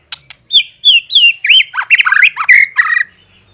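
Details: Lure song of a white-rumped shama, meant to draw a response from other shamas: clear rising whistles give way to a rapid, varied tumble of twisting notes and harsh buzzy phrases.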